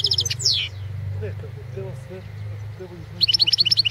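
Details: European goldfinch of the Balkan form entered in a 2016 online world singing championship in Serbia; brief high clipped notes open and close the stretch, with a quick falling slur, over steady low hum and faint talking.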